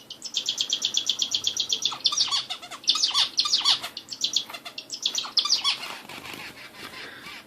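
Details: Bulbul, described as an Indian bulbul, in a fast run of bright, high chirping notes that breaks into tumbling clusters of sharp twittered phrases, busy and continuous throughout, with little else heard.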